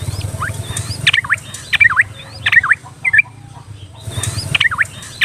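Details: Yellow-vented bulbul song used as a basic lure to get timid or skittish birds singing: scattered bubbly, V-shaped whistled notes in short bursts, over a steady low hum and background noise.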